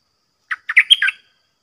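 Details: Red-whiskered bulbul song from a caged bird challenging fearless wild birds: a brief phrase of five rapid, liquid notes, the fourth highest and clearest, ending on a lower slurred note.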